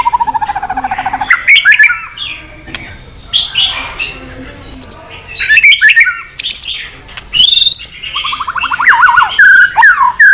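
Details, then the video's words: White-rumped shama singing long to provoke fighting, with tail-flick clicks: a rapid trill opens, followed by varied warbled and whistled phrases, clicks and another fast trill near the end. "chòe lửa kéo dây dài cực phê. đập tạch đuôi kích đấu. chòe lửa hót giọng dài kích lửa"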